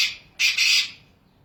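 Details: Wild black francolin in Pakistan giving a single loud, rasping, two-part grating note, following the fading tail of an earlier call, in a quiet natural setting.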